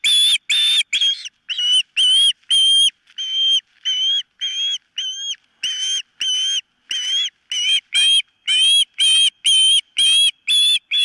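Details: Osprey at a nest watched by a camera, calling insistently: loud, shrill whistled notes near the top of the range, given in a steady run of about two per second, a few softer gaps between them.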